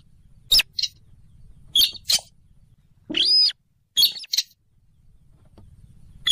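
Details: Slaty-breasted rail lure call, a marsh rail of swamps near rivers or lakes: scattered hard clicks and doubled ticks around a single arched, squealing note in the middle, over a low steady hum.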